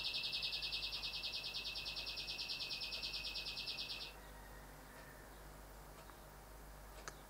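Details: Male Rufous Whistler that keeps visiting windows to see his reflection, delivering a fast, even string of sharp, high repeated notes for about four seconds, then near quiet with a few faint distant notes.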